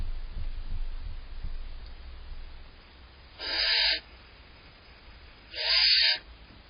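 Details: Two harsh, hissing snore calls from barn owl owlets in a nest box, waiting for prey from their parents, stand out over a faint, steady low background hum.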